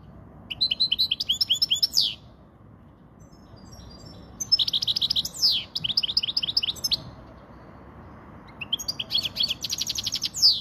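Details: European goldfinch of Spanish type singing a clean, faultless song used for tutoring young goldfinches and exciting females: three bursts of rapid twittering trills and tinkling notes, each ending in a descending buzzy slur, over a low steady hum.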